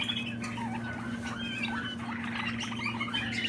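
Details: Young Malinois Waterslager canary, 2020 bird, singing lower-pitched gurgling, water-like rolling notes mixed with short whistles, continuous through the passage over a persistent background hum.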